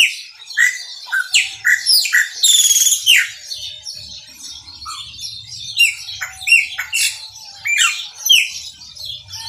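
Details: Chopi blackbird pouring out its maranhãozinho song: rapid series of loud slurred whistles and harsh buzzy bursts, a dense noisy squeal in the middle, then more spaced whistled notes, with faint low rumbling behind.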